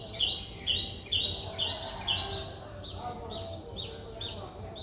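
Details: A Streak-eared Bulbul nestling, four days old, in Ubon Ratchathani, Thailand, 6 April 2023. Five clear high notes come quickly, then fainter repeated notes trail off amid low background noise.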